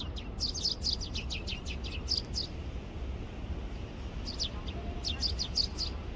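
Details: Eurasian tree sparrows squabbling over food in a persimmon tree after the first winter snow give quick clusters of sharp high chirps, pausing mid-clip, over a steady low rumble.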